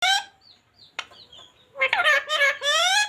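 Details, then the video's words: Parrot talking; a short harmonic whistle, a sharp click, then rich, speech-like warbling phrases with stacked tones. "parrots talking"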